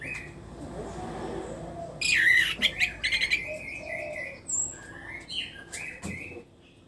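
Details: Caged orange-headed thrush singing after its moult: a loud burst of rapid whistled notes followed by softer scattered chirps and whistles over a steady background hum.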